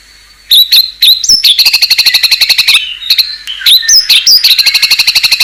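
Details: White-rumped shama singing luxurious isian: a few high ringing whistles, then long rapid rattling trills of buzzy repeated notes, interrupted by sharp upslurred whistles.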